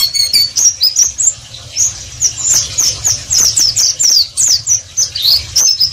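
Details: Oriental white-eye (pleci) singing ngeriwik, a dense continuous run of quick, high, downslurred chirps and twitters, with a faint hum beneath.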